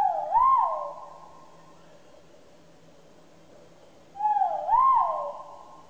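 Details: Loud whistled great argus calls, which carry for tens of kilometres, come twice a little over four seconds apart. Each is a brief dip followed by a swelling, arched note that fades into a lingering echo.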